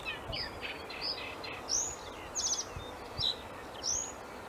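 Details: Male common reed bunting singing: a short phrase of thin high notes, some descending slurs and one quick buzzy stutter, spread over several seconds against steady background hiss.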